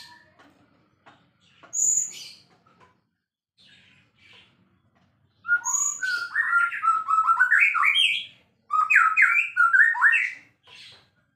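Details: Champion white-rumped shama in full song: a couple of isolated high notes, then a long, fast, loud stream of fluty whistles jumping up and down, about two notes each second, after a brief pause.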